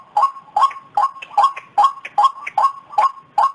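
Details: White-breasted waterhen lure recording for attracting the birds: harsh, nasal two-part notes with a rising tail, repeated steadily about two and a half times per second, clear against a quiet background.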